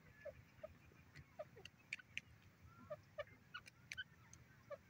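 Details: Grey francolin, or teetar, giving short soft clucking notes at irregular intervals, with faint higher chirps scattered through a quiet background hum.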